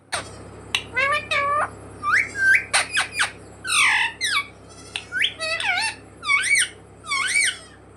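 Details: Talking pet parrot imitating "mummy papa", giving quick squawked syllables, some arched and some sliding upward, in clusters over a constant low background hum.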